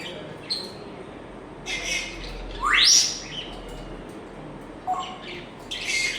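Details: Pet African grey parrot producing a loud, smoothly rising whistled sweep amid short bursts of high chirps and squeaks, with a brief low whistle toward the end.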